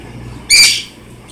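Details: Pet cockatiels kept indoors: a single loud, harsh screech of about a third of a second, bright and rasping with stacked overtones, rising sharply out of a quiet room hum and fading quickly.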